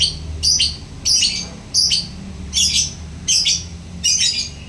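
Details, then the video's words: Lovebird chattering in the ngekek manner, with scratchy, squawking bursts, some doubled, coming about once a second. A faint low hum runs underneath. "Lovebird rajin ngekek...."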